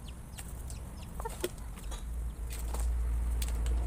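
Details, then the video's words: Many chickens eating a meal and startled by a noise: a few short, faint clucks and sharp pecking clicks sit over a steady, heavy low rumble that swells toward the end. "Many chickens are surprised when they hear a noise while eating their next meal"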